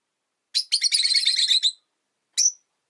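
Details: Rosy-faced lovebirds, caged by a window in winter, let out a dense, scratchy chattering run lasting over a second, then one lone piercing chirp.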